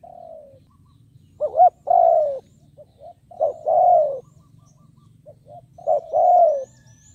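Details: Caged spotted dove calling as a decoy to attract wild doves; three phrases, each two brief upward notes and a long sliding coo, about every two seconds, with faint high chirps from another bird.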